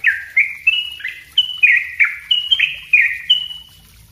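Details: Yellow-vented bulbul singing nonstop as tutor song for other birds, a lively, even string of bright chirped notes that dip and rise, around three each second, with clean quiet background.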